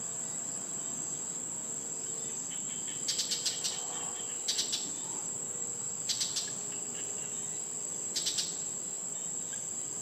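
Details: Brown shrike (Lanius cristatus), call.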